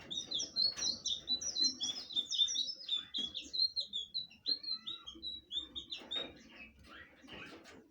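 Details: Blue flycatcher singing a rapid, lively run of high whistled and slurred notes, closely strung together and fading in the last seconds, with faint clicks and low background noise.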